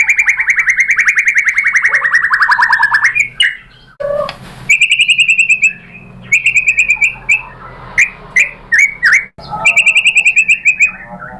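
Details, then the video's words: White-rumped shama lure song meant to provoke an answer. A long buzzy trill leads into bursts of fast rattling notes and sharp whistles separated by short silences. "PANCINGAN MURAI BATU BIKIN EMOSI JADI NYAUT GACOR BONGKAR MATERI ¦ SHAMA BIRD"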